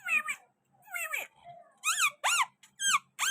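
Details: Pakistani green parrot at a window, uttering drawn-out nasal, falling calls followed by several loud arched screeches with strong harmonics, indoors.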